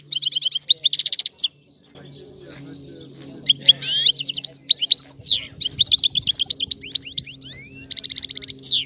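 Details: Sicilian goldfinch with a rare old-style song: bursts of rapid trilled notes, twisting buzzy phrases and thin rising whistles, then a long fast rattling trill, over a low steady hum and faint background rumble.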